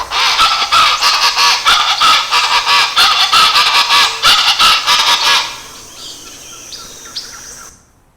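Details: Chaco chachalacas chorus loudly with harsh, raucous repeated phrases, onomatopoeic "chachalaca", about three per second for over five seconds, then fade to faint calls.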